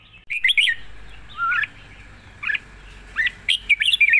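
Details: Caged red-whiskered bulbul singing a long song with rik notes: bright warbled phrases that rise and fall, a short low slurred whistle in between, then a rapid run of chirpy notes near the end. Faint background hum.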